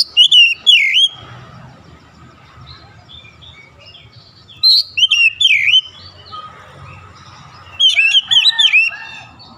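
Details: Oriental magpie-robin (kacer) under morning sun: three bursts of rich whistled, warbling notes with high sharp accents, separated by quieter soft chattering and low background hum.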